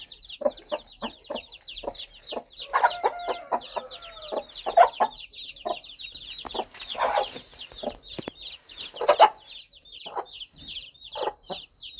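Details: Mother hen in the countryside calling her baby chicks, her gentle clucking guiding them toward warmth, food and safety; short low clucks come in irregular bursts beneath a constant stream of high, thin, downward chick peeps, with a brief tonal squeak near the start.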